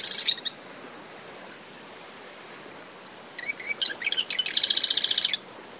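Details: Marsh wren near its nest in seaside dune vegetation, early morning. The tail end of one song, a gap, then a full song of clicky introductory notes building to a fast buzzy trill. A cricket's steady tone and wind-driven waves underneath.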